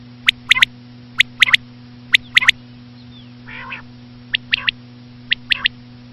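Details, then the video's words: Three crisp three-note phrases of a common quail, a soft buzzy nasal burst, then two more triplets. A steady electrical hum is heard throughout. "common quail.quail sound effect.batair ki Awaz.Звук самки перепела.صدای بلدرچین ۔.बटेर की आवाज"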